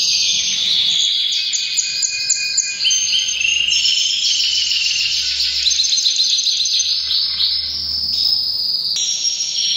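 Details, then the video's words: Canary in breeding season delivering continuous powerful song, fast stuttering trills followed by long buzzy rolled tours, changing pitch in abrupt steps with barely any gaps. "Canary bird most powerful singing during breeding season"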